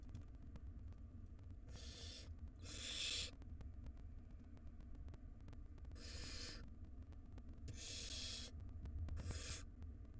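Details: Barn owl nestlings begging while the mother feeds siblings in a wild nest box; rasping hissed screeches, some in quick pairs, five bursts over ten seconds above a constant low rumble.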